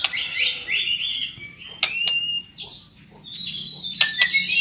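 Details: White-rumped shama singing as a lure for other shamas: buzzy warbled phrases, a thin level whistle, sharp clicks, and a final bright trill.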